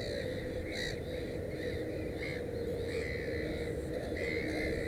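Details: Black-headed gull at a nest with three chicks: faint, nasal, harmonic calls come every second or so over a steady, noisy rural background hum.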